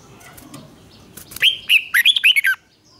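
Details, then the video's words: Red-whiskered bulbul singing duel phrase, meant to stimulate birds into fiery competitive song: a rapid burst of six or seven clear, slurred whistled notes that rise and dip, lasting about one second, after quiet low rumble. "Kích chào mào hót đấu"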